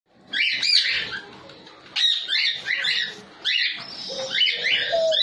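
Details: Newly bred baby cockatiels (Nymphicus hollandicus) give harsh, raspy, wheezing calls in overlapping bursts.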